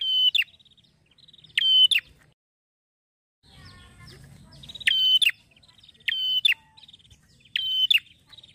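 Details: Happy male prinia singing in the ngeplonk style: loud, sharp, metallic notes repeated in short bursts roughly every 1.5 seconds, with a brief rumbling low noise partway through.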